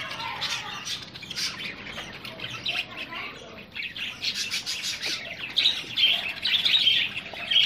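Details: Aggressive budgerigar meeting: quick chirps about once a second at first. They build into a denser, louder warbling chatter with squeaky, whistled notes toward the end.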